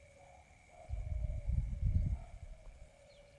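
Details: A white stork pair copulating at their nest on a late-medieval castle in Extremadura, clattering bills to strengthen their bond: a low, hollow wooden rattle rising and fading over about a second and a half, over a faint steady hum.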